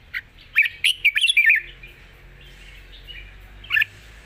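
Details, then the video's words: Red-whiskered bulbul kept as a cage bird, singing a long song with rik: a tumbling cluster of warbled, slurred notes, a quiet stretch, then one last bright chirp. "ปากเบา+ร้องง่าย เพลงยาวมีริก"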